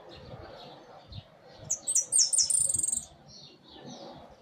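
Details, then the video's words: Hooded siskin singing in a large cage: a high, bright burst of twittering song with a fast trill of repeated notes, over faint low background noise. "Jilguero amarillo priando"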